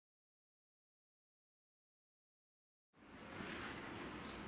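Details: Silence for almost three seconds, then a sudden steady broadband rush of noise, like wind or passing traffic, lasting to the end with no calls heard.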